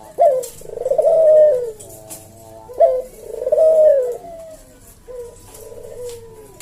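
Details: Javanese puter dove cooing in the slow senggang style of kuk deruk manggung, used as a tutor and lure for cage birds: low mellow coos with a rolling, falling drawn-out note, two phrases a few seconds apart.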